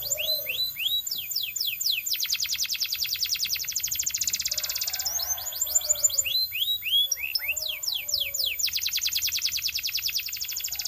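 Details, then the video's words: Belgian canary singing to prompt other canaries to sing: high, fast rolling trills alternate with series of downward-sweeping whistled notes, the trills buzzing steadily for several seconds at a time. "The Singing Canary Tempts All Canaries to Sing - Belgian Canary Singing"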